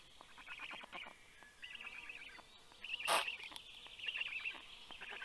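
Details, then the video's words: Black stork chicks at the nest growling when the parent brings fish, 9:56 AM on 11 June 2022; rough rasping pulses come in bursts, with a brief loud broadband rustle in the middle. "Storklets are growling!"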